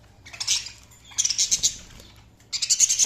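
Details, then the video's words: Budgerigars giving bursts of scratchy, high chattering chirps in three clusters separated by short pauses, dense rapid notes with brief quiet between bursts. "Budgies Sounds| Budgies Chirping sound"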